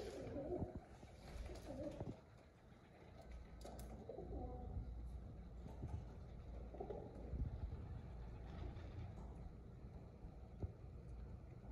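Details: Several pigeons give low, rolling coos in short bursts, with pauses between, over a constant low background hum.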